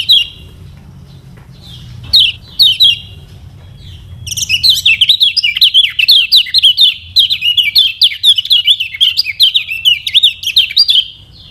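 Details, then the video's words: Lemon-bellied white-eye from Lombok, a lure song for birds learning to sing or reluctant to sing. A few isolated sharp chirps open, then a long fast high warble of zigzagging notes runs for seven seconds. "KECIAL KUNING PANCINGAN UNTUK BURUNG BELAJAR BUNYI DAN MALAS BUNYI"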